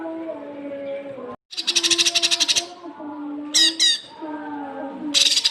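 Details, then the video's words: Cucak kinoi masteran for training young birds: a loud, pulsed, buzzy rattle about a second long, a sharp double burst, then another rattle begins, with low tonal sounds behind. "masteran cucak kinoi untuk pancingan burung bahan"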